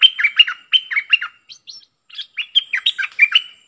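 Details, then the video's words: Decoy bulbul (merbah lekir) kept for bird trapping, singing a lively song: quick bursts of liquid, bubbling whistled notes dropping in pitch, delivered in rapid phrases with short pauses, loud and clear against a quiet background. "เสียงนกดอกแตงEp.73 นกต่อสายโหด(เจ้ามณี) Suara merbah lekir gacor"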